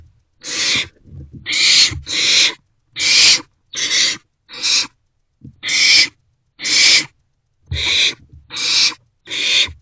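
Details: Barn owlets in a nest box at night, around 2 am on 27 March 2024, sharing a vole and passing it back and forth; loud, harsh, breathy hissing screeches in bursts of about half a second, roughly one per second, overlapping.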